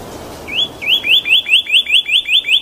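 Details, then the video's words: Cardinal singing in the wild: a single drawn-out opening note, then a quick series of about nine clear, rising slurred whistles, roughly five per second, over faint background hiss. "Pássaro Cardeal cantando, o canto do cardeal"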